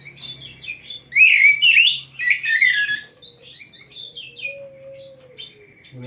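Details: Oriental magpie-robin song meant for training young, lazy or quiet caged birds: a rich burst of loud twisting whistles and quick chirps for two seconds, then softer scattered notes over a sustained low whistle and a faint hum.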